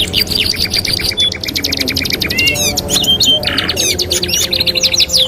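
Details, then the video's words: Canary master song for training young canaries: rapid high-pitched trills, sharp chip series and short whistles change every second or so. A dense, continuous warble plays over steady low background noise. "TERAPI MASTERAN KENARI 2 IN 1 | CANARY SINGING"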